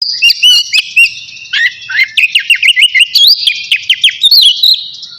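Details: Oriental magpie-robin of the navy type singing vigorously before bathing: a dense, rapid run of high whistled notes, sharp upslurs and chips, with brief pauses, the song loud and continuous.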